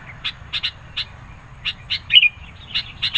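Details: Bulbul song intended to provoke rivals and lure birds: scattered sharp chips around one quick rising-and-falling whistled phrase near the middle.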